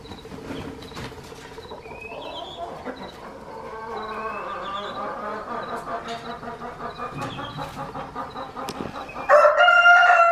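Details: Reeves's pheasant; courtship call; courtship display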